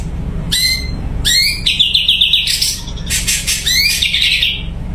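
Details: Captive Sumatran leafbird giving bright whistled upslurs, then a long buzzy trill and crackling harsh notes, ending with another rising whistle into a trill, in a quiet setting with faint low hum.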